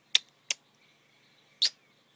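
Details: Pet hill myna, asked to give kisses to a sleeping Welsh Corgi it loves, makes three sharp, smacking kiss sounds: two close together, then one more about a second later, in an otherwise quiet room.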